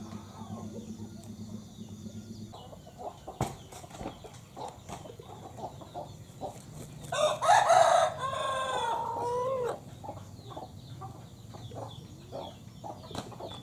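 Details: Crowing broiler rooster, a meat-type cock kept temporarily as a breeder in a village: soft clucks and scratchy background sounds first, then a loud, rough crow of about two and a half seconds midway, fading into more faint clucking.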